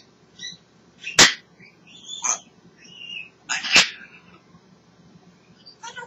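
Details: Pet African grey parrot chattering happily: two loud sharp clicks about two and a half seconds apart, with thin whistled chirps and soft rasping notes between them.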